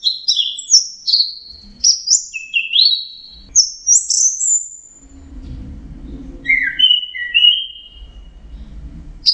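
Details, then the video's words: Teler song of an orange-headed thrush: a rapid run of short, varied whistled notes stepping up and down, then a pause and lower sliding whistles, over a soft background rumble. "suara burung anis merah sedang teler"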